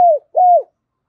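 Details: Spotted dove decoy bird in thổ voice gives two smooth hooting coo notes, each level then sliding downward, the second longer.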